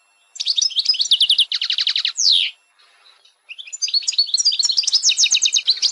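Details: High twittering from a female European goldfinch meant to stimulate males, with trilled bursts and a sharp downward slurred note, a brief pause, then renewed rapid chirping.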